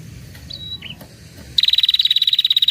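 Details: Female red-headed prinia lure trill aimed at males: soft thin whistles at the start, then a long, fast, steady trill of high buzzy pulses lasting over a second.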